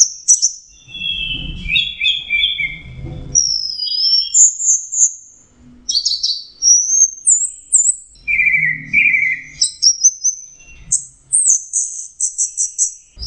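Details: Orange-headed thrush in full song, locally anis merah: a long varied sequence of whistles, rapid high twitters and downward-sliding buzzy notes, phrases changing every second or two, faint low rumble at times.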